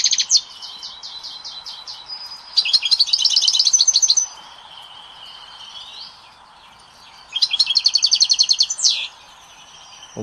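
European goldfinch song: bursts of fast, liquid twittering and buzzy trills high in pitch, about two seconds each, separated by quieter pauses with faint background hum.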